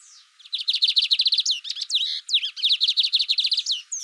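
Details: Lined seedeater (bigodinho) singing: loud, rapid series of bright, high repeated notes forming fast trills, broken by a brief buzzy, twisted phrase midway, then resuming the quick chattering run; no other sounds.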